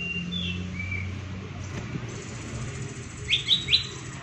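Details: : Green leafbird, a kept bird ready for contest, giving rapid 'tembakan' (shooting) song used as a lure to rouse silent leafbirds into singing. Faint thin whistles early, then three sharp, bright chirps in quick succession near the end over a low hum.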